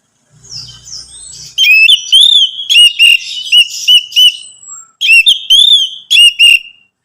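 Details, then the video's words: Song of the orange-headed thrush, known locally as anis merah, played to stimulate a captive bird: loud, clear whistled phrases with bouncing, slurred notes, delivered in short bursts separated by brief gaps. "Merangsang ANIS MERAH Berani Bunyi, Saat Diputarkan Kicauan Ini dalam Beberapa Menit."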